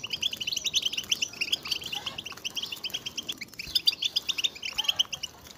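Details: Goldfinches (European) calling en masse to push males to sing, fast chirping runs in bursts of bright tinkling notes with short dips in between.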